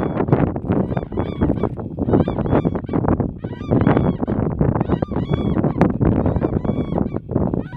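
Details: Several black-necked cranes in Ladakh give loud, harsh trumpeting calls in rapid, overlapping bursts throughout.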